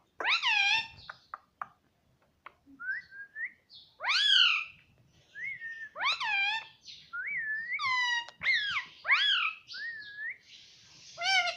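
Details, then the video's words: Pet talking parrot, said to say "mummy" and "papa": loud harmonic rising-falling squawks alternate with shorter whistled upward slurs, about ten separate bursts with short pauses between. "Mummy Papa Bolne Wala Tota || Talking Parrot"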